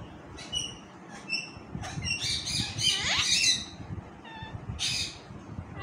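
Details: Talking pet parrot indoors producing a harsh, noisy squawk mixed with chirpy harmonic notes, loudest mid-way, followed by shorter bright squeaks against a rumbling background.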